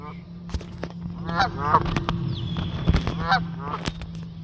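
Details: A burst of goose honks as the flock takes off, rapid overlapping nasal calls mixed with flapping thumps and clicks over a low hum.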